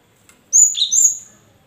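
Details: Cinereous tit giving a loud whistled phrase, a high note then a lower sliding note and another high one, meant to set silent caged birds answering.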